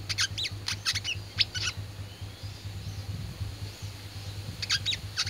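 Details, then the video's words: Oriental white-eye singing in the fighting style known locally as tarung: rapid bursts of sharp, high chirps early on, a pause, then another quick chattering burst near the end, over a steady low hum. "BURUNG WICEH TARUNG bisa ngobra juga"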